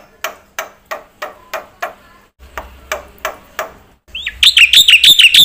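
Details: Black-winged myna in full, lively song with varied fill-in phrases, used to prompt and tutor other birds: harsh clicking notes about three per second, then a rising whistle and a rapid run of ringing notes.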